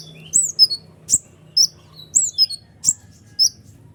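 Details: Kolibri ninja sunbird in full voice, meant to provoke other birds into singing: high, thin, downward-sliding chirps in irregular pairs, with a soft low droning hum behind.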